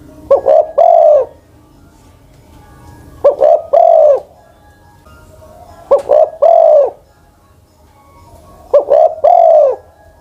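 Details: Old ground-decoy spotted dove, over ten years of age, sings four evenly spaced phrases roughly every 2.5 seconds, each two short stuttering coos then one longer deep coo.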